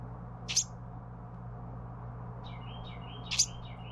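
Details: Young Carolina wren being fed by its parents: two short, harsh, hissing rasps about three seconds apart, with a quick run of small slurred chirps between them over a steady low hum.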